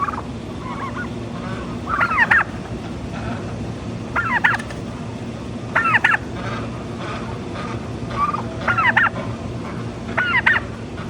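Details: Turkeys calling with a series of quick rattling gobbles spaced about two seconds apart, each burst a tight cluster of wavering notes, over constant low rumbling background noise.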